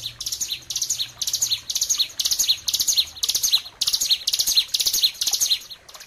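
A bar-winged prinia sings high, sharp chirping phrases in a fast run, about two every second. A faint low hum lies beneath.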